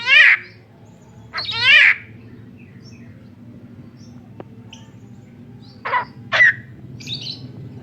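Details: A tame Javan myna, claimed to talk and cough, opens with a loud harsh rasp, follows with a double grating call, then after a quiet gap gives short sharp clipped notes and a squeak.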